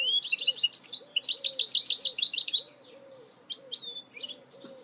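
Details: Goldfinch mule hybrid delivering quick, rhythmic, high trilled notes repeated several times a second for about two and a half seconds, followed by sparse thin whistles and chirps over a soft, regular low background tone.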